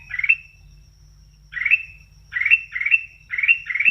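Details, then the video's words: Sooty-headed bulbul giving brief chirpy, upward-sweeping notes ending in a bright point, one phrase, a pause, then five in quick succession, over a faint low hum. "Kicauan Kutilang Emas"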